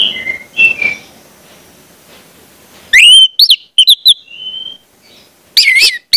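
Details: Orange-headed thrush song played to train young spotted juveniles to sing; soft whistled notes at first, then loud clear whistles with quick rising and falling slurs and a held pure tone, ending in a trilled flourish.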